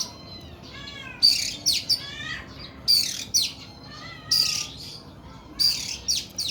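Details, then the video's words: Oriental magpie-robin of the kacer kuku bima type singing in the long, harsh 'nembak' style: loud rasping bursts with a sharp high whistle, repeated about every one and a half seconds, with softer chattering and rising notes between. "KACER KUKU BIMA NEMBAK PANJANG & KASAR"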